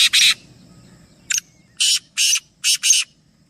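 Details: Harsh call of a black francolin among three birds: a rasping double burst, a pause, then a short clipped note leading into four loud scratchy bursts, the final two close together.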